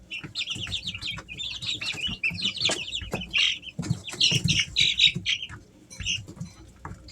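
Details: Easter Egger chicks, three weeks old, at home in summer: busy series of thin high peeps and brief downslurred chirps from several chicks, with occasional louder squeaks, knocks and wing-flutter noises.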